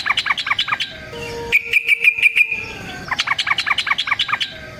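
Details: Yellow-vented bulbul's long fighting song, used as a lure and for training. Fast, sharp chattering notes repeat in runs, with a higher, even trill in the middle.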